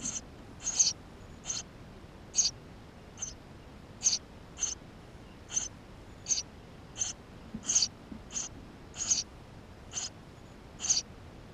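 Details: Eurasian tree sparrow nestlings inside the nest, recorded on a GoPro camera; thin, very high squeaky calls in short bursts, about seventeen over eleven seconds, spaced irregularly, over a quiet low background hiss.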